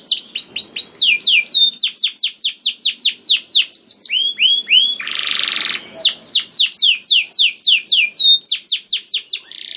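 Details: Canary singing 'gacor' as a lure for other canaries: long runs of rapid downward-sweeping whistled notes, about four per second, broken by one short harsh buzzy burst midway.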